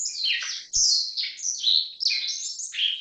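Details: Black-faced bunting (Emberiza spodocephala), call.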